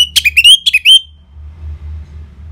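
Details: Orange-headed thrush singing in the loud ngeplong style, played to provoke other birds into answering and to rouse their mating drive: a rapid run of about eight sharp, ringing whistles lasting one second, then a quiet room hum.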